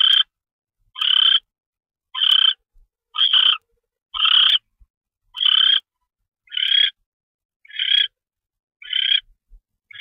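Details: Barn owl at night on 25 February 2013 during a mouse delivery. Short, harsh, hissing screeches come roughly once a second, each a clipped rasping burst separated by silence.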